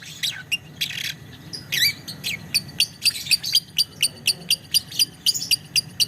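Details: Lovebird's long ngetik song: a few harsh bursts, then a regular train of short, high, clicking chirps about four per second.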